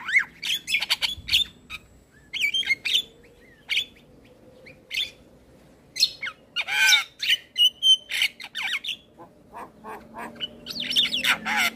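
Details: Varied song of a male Javan myna, played to prompt young birds, made of scattered short squawks, chirps and clear whistled notes separated by pauses, with a quick run of repeated harsh notes near the end.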